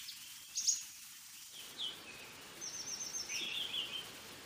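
Fork-tailed Sunbird giving thin, very high, sibilant twittering phrases in short bursts over about four seconds, against a steady background hiss.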